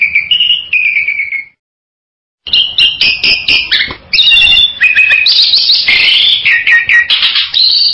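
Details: Bali myna calling: loud, varied whistled and harsh notes in quick bursts, with a short silent gap near the start, then dense chattering phrases.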